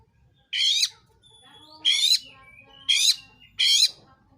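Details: Oriental magpie-robin singing as a lure to spur rival magpie-robins into singing: four loud, rasping, buzzy bursts, each about a third of a second, separated by short pauses with faint background hum.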